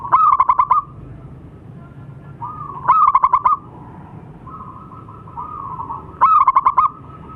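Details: Zebra dove of local stock in full voice, giving three separate bursts of about six staccato coo notes roughly three seconds apart, with a faint steady tone lingering between bursts.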